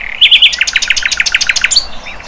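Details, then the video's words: Sikatan londo flycatcher singing in the wild: three quick rising chirps followed by a fast, regular series of about ten clipped, slurred notes, ending in one higher upslurred whistle. "Sikatan LONDO"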